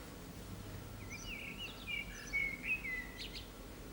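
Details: Urban common blackbird, Turdus merula, perched on an antenna in Zamudio, Txorierri, Bizkaia, 18 April 2019, delivering a fluted whistled phrase with gliding notes ending in a brief squeaky flourish, against faint background hum.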